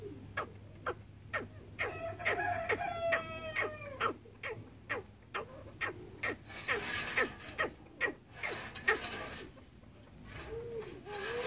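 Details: A pair of chukar partridges, Pakistan's national bird. Short sharp notes repeat about twice a second, with a burst of harmonic clucking notes early on, over a low steady hum.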